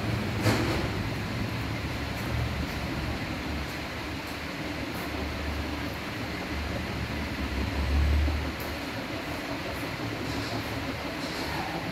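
A steady low rumble of a passing train or heavy vehicle with faint rattling fills the recording, and no animal calls stand out.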